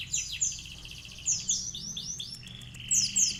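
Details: Konin sunbird, a kept songbird singing with canary-style fill phrases, used to tutor other birds: high thin chirps and short sweeping notes, then a sustained buzzy trill near the end.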